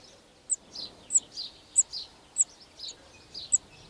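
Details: European serin at a wild nest in spring 2018, from one of the year's first broods: six thin, very high chirps about every 0.6 seconds, each followed by a softer, lower note, over quiet background hiss.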